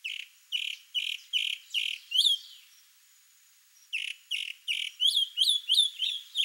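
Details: Male chalk-browed mockingbird (sabiá-do-campo) singing to show off to a female: series of loud, rapid, harsh notes repeated about three per second, shifting to sharp upslurred chirps with bright harmonics, a brief pause mid-phrase, quiet background.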